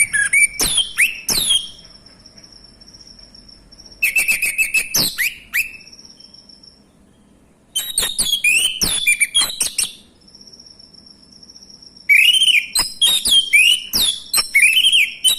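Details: Male orange-headed thrush song used as a lure to make silent thrushes sing: four bursts of rich, varied whistles, chirps and sharp notes, each lasting about two seconds, separated by pauses, over a steady high-pitched whine.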